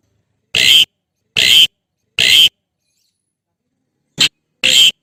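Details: Javan pied starling calling to its mate, giving a run of five loud, grating, scratchy notes spaced roughly a second apart, the fourth noticeably shorter, with silence in between.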